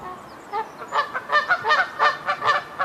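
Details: Canada goose honking: a quiet start, then a run of about eight loud, nasal honks with rich harmonics, spaced roughly a quarter second apart and rising in intensity, with faint high chirps from another bird early on.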